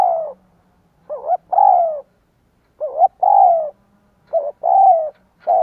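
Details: Cooing spotted dove, used as a lure for wild doves: repeated hoarse phrases, each a short two-part note leading into a long, steady, gently falling coo, about one phrase every one and a half seconds.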